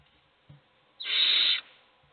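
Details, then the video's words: A single drawn-out hissing screech, just over half a second, from a hungry owl chick begging in a nest box, preceded by a faint low knock. "Todos los polluelos tienen hambre, pero sólo come uno."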